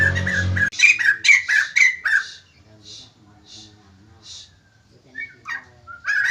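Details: White-crested laughingthrush in loud singing form, meant to set other birds responding: a short burst opens with a low hum, then a fast run of harsh chattering notes dies away into scattered, faint bursts.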